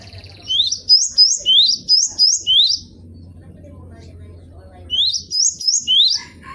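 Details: Cinereous tit (gelatik batu) song used as a training recording for other cage birds. Sharp rising two-note whistled phrases repeat quickly in two bursts, with a quiet gap and low background rumble between them.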